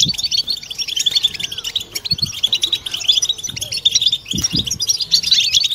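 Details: Group batbata from European goldfinches, a mating chorus to treat silence and arouse females; lively, high, tinkling twitters tumble continuously, punctuated by short rising notes and a few dull low knocks.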